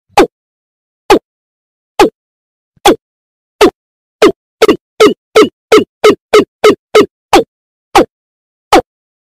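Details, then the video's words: Pond heron, known locally as puchong, pucung or blekok, in a lure recording used for bird trapping: short harsh squawking notes, spaced about a second apart at first, then coming in a faster run of about a dozen before slowing again, over a silent background. "Suara pemikat burung puchong | Pucung | burung keladi | blekok"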